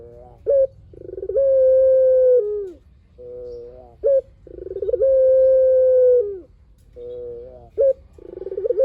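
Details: Spotted dove in vigorous long song, used as a lure to prompt other doves to reply. Two full phrases: a clipped high note, a purring trill, then a drawn-out even coo dropping at the end, with softer coos between.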